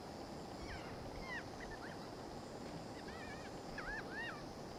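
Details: Keas at Avalanche Peak, picking up rocks with their beaks and investigating a rucksack. They give several faint, arched, wavering screeches, some in close pairs, against a steady rushing background noise.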